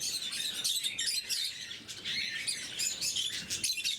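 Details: Quick, shrill chirps pour from several blue-mutation lovebirds at morning feeding, overlapping into a constant high chatter.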